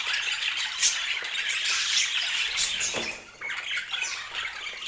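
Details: Stunningly colored pet budgerigars chattering in dense, high, scratchy chirps and squawks, with a brief lull near the three-second mark before the chatter resumes more quietly.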